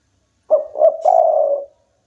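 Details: Local spotted dove singing vigorously: a single clear cooing phrase of two short notes followed by a longer drawn-out coo, mellow and steady in pitch, in otherwise quiet surroundings.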